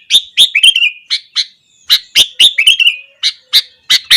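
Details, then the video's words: Sooty-headed bulbul singing hard in the morning to provoke other bulbuls: clear, bubbly chirping notes in quick irregular bursts, each opening with a sharp high note and sliding into warbled downward twitters. "burung kutilang gacor kesetanan yakin bikin tilang lain langsung naik emosi"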